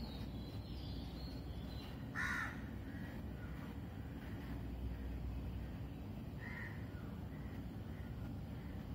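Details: Crows in a natural early-morning setting at 06:03 am, recorded on a phone among cuckoos and other birds. Two harsh, hoarse caws about four seconds apart over a steady low rumble of slow wind, with faint chirps between.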